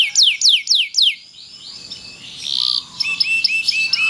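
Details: Kenari loper canary song played as tutoring material for other canaries: four loud downslurred whistles, then a softer mix of warbled, buzzy and short chipping notes.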